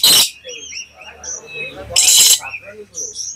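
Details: Black lory (nuri kelam), a lure recording played to provoke other lories into calling: two loud, harsh rasping screeches about two seconds apart, with softer squeaky chirps and whistles between them.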